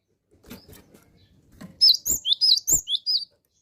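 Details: Cinereous tit in full, vigorous song: soft taps and shuffling, then a fast run of about seven bright, high two-note whistled phrases, each rising then dipping, mixed with sharp knocking clicks.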